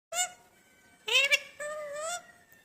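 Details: Talking parrot giving a few short voice-like utterances. The rich, nasal tones rise and fall, with a brief gap between phrases.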